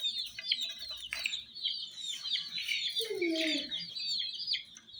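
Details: Hen chicks pecking at miniature toy jeeps, giving a dense, continuous chorus of high thin peeps with overlapping short chirps, and a brief lower falling sound near the end.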